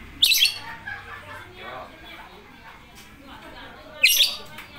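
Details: Lovebird letting out two abrupt, shrill squawks roughly four seconds apart, with soft chatter between them.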